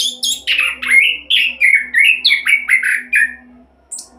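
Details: Quick 'roll' song of an orange-headed thrush, a lure for other birds: a run of about a dozen loud, slurred downward whistles at a steady fast pace, then a pause and one thin high note; faint low hum behind.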